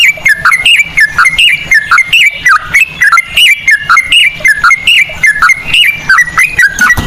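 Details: Sooty-headed bulbul song with ropel and cucak rowo phrasing, a lure to prompt singing: steady stream of bright, chirpy whistles, rising and falling in short figures.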